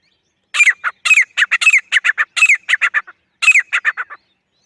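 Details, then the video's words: Rapid, loud chattering string of harsh notes with bent whistled elements from a female grey francolin, grey teetar, in two bursts separated by a brief gap. "Female Grey Francolin Sound | The Sound of Partridge Bird | Grey Teetar ki Awaz | Gora Teetar Sound"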